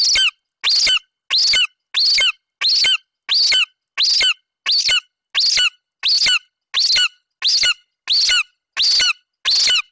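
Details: Golden eagle eaglet, a young male, on the nest in Bucovina on 27 July 2021, standing guard over a Eurasian hare the mother delivered. He gives an unbroken series of shrill, piercing squeals at a steady pace, about fifteen in ten seconds.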